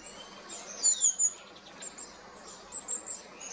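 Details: Long-tailed tit calling: two short bursts of three very high, thin, sibilant notes about two seconds apart, with one faint downslurred whistle early on, over a soft hiss of background noise.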